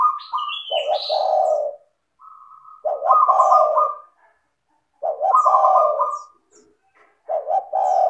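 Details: Lure song of a spotted dove in vigorous, melodious form: repeated deep coo phrases every two to three seconds, each carrying a rattled trill above, a high sliding whistle at the start and soft faint chirps between.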